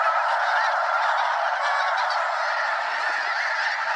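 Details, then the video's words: Flock of over 200 Snow Geese in flight over Limestone Bay, Wheeler National Wildlife Refuge, Alabama, circling before landing; a dense chorus of rapid, overlapping honks, about four per second, easing slightly toward the end. "Snow Geese Mega-flock Fly Arounds at Wheeler National Wildlife Refuge - Limestone Bay"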